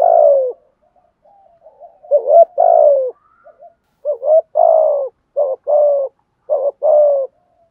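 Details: Spotted dove used as a decoy bird, cooing to provoke wild doves to answer; low mellow coos with short hooked notes and longer falling drawn-out notes, about eight phrases over several seconds, clean background.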